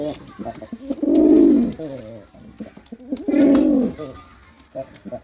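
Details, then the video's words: Male pigeon performing, giving two loud, low, drawn-out coos about two seconds apart, each swelling and then falling, with softer clicks and faint voices between them indoors. "Pigeon Sound Effect || Male Pigeon Super Performance || Male Pigeon Sound"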